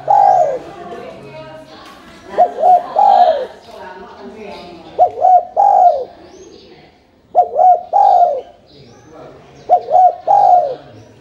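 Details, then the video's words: Spotted dove, a strongly calling bird used to lure others into answering. Repeated phrases of two short coos and a longer descending coo come about every two and a half seconds over constant low hum and murmur. "LANGSUNG NYAUT dan IKUT BUNYI dengan pancingan terkukur GACOR ini"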